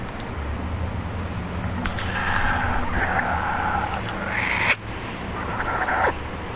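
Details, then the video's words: Laughing kookaburras giving their laughing call: a loud, rolling chuckle that swells and breaks into harsher cackles over several seconds, above a steady low rumble. "the kookaburras are birds And Australians are use to the laughing sound they make"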